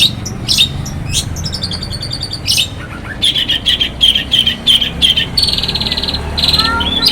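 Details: Morning song of a long-tailed shrike in Banyuwangi, meant to provoke rival shrikes into singing: harsh buzzy bursts, then a run of fast rattling trills and grating notes, closing with a few short whistled upslurs.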